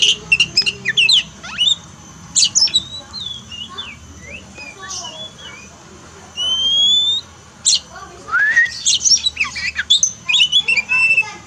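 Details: Pet Oriental magpie-robin song for a bird that sings little after moulting: scattered thin whistles and chips, a long clear rising whistle near the middle, then a dense twittering, buzzy passage.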